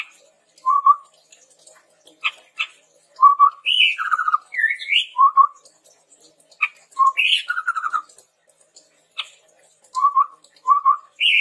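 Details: Chestnut-rumped babbler song for luring and tutoring birds: a lively run of short whistled notes, low double whistles mixed with higher rising slurs and a few sharp clicks, nearly continuous over eleven seconds.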